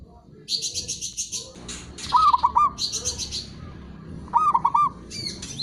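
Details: Local perkutut (zebra dove) cooing for training lazy, silent birds: two short stuttering coo phrases, each a rapid run of pulsed notes, largely covered by loud, busy high twittering and chirps from other birds.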